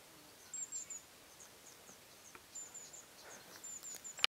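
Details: Very high, thin, insect-like trills from a Mallee emu-wren in Hattah-Kulkyne National Park near Mildura, Australia, in three faint bursts about a second apart, with a soft background hiss.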